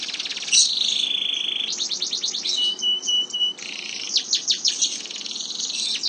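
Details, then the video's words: Canary delivering a long rolling song: dense high trills, a steady whistled tone held for about a second, then bursts of rapid sweeping notes, loud and clear. "burung kenari ngerol panjang"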